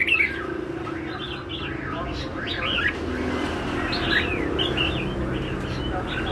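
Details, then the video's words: Red-whiskered bulbul singing in the lân hầu bò style, a busy stream of short warbled whistles that bend up and down, uttered almost without pause, with a low background rumble throughout. "CHÀO MÀO LÂN HẦU BÒ"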